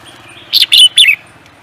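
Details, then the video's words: Competition songbird, prized for its voice in singing contests, delivers three quick loud bursts of high, sharp chirping notes within half a second over a faint low background hum. "The Beautiful Bird singing"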